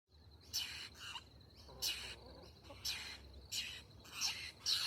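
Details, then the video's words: Baby babbler wanting food: harsh, rasping, broadband calls given about once a second, five bursts in all, over a steady high insect-like whine and low background rumble. "Baby Babbler Bird"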